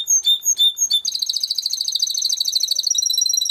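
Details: Timbrado canary singing for training: a few separate whistled chips, then a fast, even, high rolling trill lasting over two seconds.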